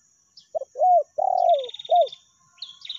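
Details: Spotted dove lure call in the meratus and melambung styles: a clipped note, an arched coo, a long descending buzzy coo and a closing arched coo. A small bird trills high and rapidly over and after the phrase.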